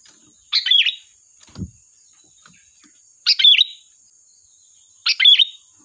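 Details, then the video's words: Sooty-headed bulbul song for luring birds: three sprightly chirped phrases with whistled twists, two and a half then two seconds apart, plus a low thud after the first and a steady faint high hiss. "Suara burung Kutilang Gacor || tembakan tajam pas untuk pancingan"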